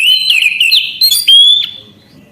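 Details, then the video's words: Orange-headed thrush song phrase: a steady whistle overlaid with quick warbling trills, then a pure, drawn-out whistled note fading out. "Anis kembang gacor anti macet bunyi"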